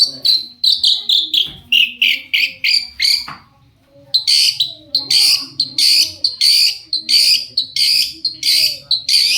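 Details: Long-tailed shrike in lively song, used as a lure to prompt other shrikes to answer: rapid harsh, buzzy high notes in a quick series, a brief pause, then a denser run of loud rasping bursts.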